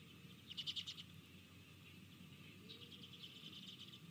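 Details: Collared aracaris, a trio vying for a banana at a fruit feeder in Panama, recorded 2 March 2024 at 17:18, give a quick burst of four high, squeaky notes, then a fainter, longer run of similar sharp calls over a low background rumble.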